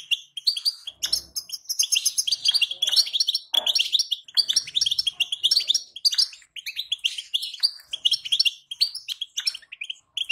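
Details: A female European goldfinch's batbata, played to rouse a male into song: an almost unbroken stream of tinkling, buzzy twitters and chirps with only tiny breaks.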